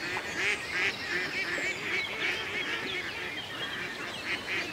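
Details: Lakeside ducks on a peaceful country day give a steady run of nasal, buzzy quacks, several birds calling over one another at a quick, uneven pace, with constant soft water and ambient noise beneath.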